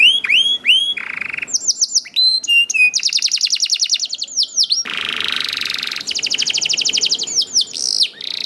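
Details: Canary singing tirelessly to prompt other canaries into song, from a young bird; fast falling chirps, clear whistles, extended buzzy and rattling rolls, and quick repeated sweeping notes to the end.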